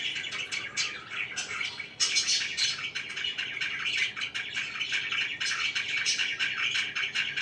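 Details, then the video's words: Indoor pet budgies, a group calling at once: steady overlapping chatter of quick bright chirps, raspy squeaks and warbled notes, growing louder and fuller after the first couple of seconds. "#budgie #chirpingbirds"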